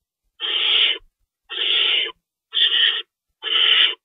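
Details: Four clean, evenly spaced rasping hisses from owls at a nest during night feeding, 25 March 2012, each lasting about half a second against silence.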